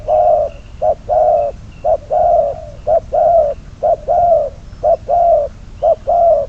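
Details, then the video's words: Spotted dove kept as a trapping decoy, bird number 22: loud, clear low cooing in short phrases, each a brief note followed by a longer drawn coo, repeated about once a second, with a faint low hum beneath. "Bẫy cu gáy mồi, con số 22, cuckoo trap, bird number 22 !"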